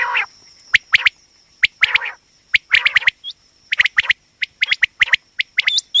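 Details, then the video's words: Female common quail voice, a call used for quail hunting and trapping: a dense run of sharp clipped notes, some in quick pairs, mixed with nasal buzzy bursts and short hooked whistles, over a constant high hum. "common quail hunting sound//batair ki awaz"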